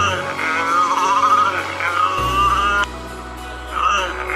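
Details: Music with a singing voice and instruments plays throughout, and no animal voice is heard.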